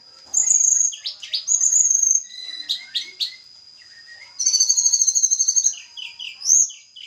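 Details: Javan little pied flycatchers, caged pair being matched for breeding; sharp high whistles, a fast even trill in the middle, then short descending notes over a constant high whistling tone.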